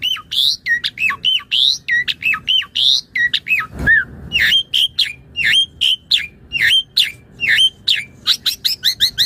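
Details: Asian pied starling, a caged bird kept for song practice, used as a master song for training other birds; loud varied whistles and squawky chirps in rapid series, later clipped notes repeated about twice a second.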